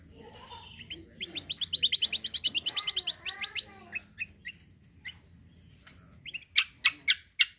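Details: Javan grey-throated white-eye singing to encourage other birds: a rhythmic, rising trill of high notes, then spaced single chirps, ending in loud sharp clicks.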